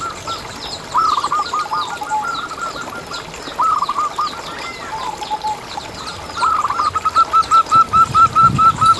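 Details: Local zebra dove recording used to prompt other zebra doves to sing: three phrases of quick, evenly repeated coos, the last a long, steady series, over a quiet outdoor background.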